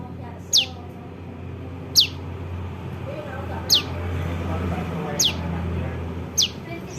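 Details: ['Juvenile prinia calls, used as a lure for bird trapping: sharp, high, downward-sweeping notes repeated about every one and a half seconds, five in all, over a steady low hum.']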